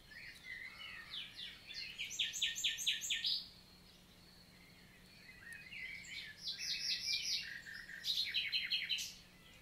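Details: Common nightingale (Luscinia megarhynchos) singing on a June 2023 morning in forested countryside, La Vallée du Célé, Lot, south of France: two rich phrases of rapidly repeated, stuttering metallic notes separated by a short quiet gap.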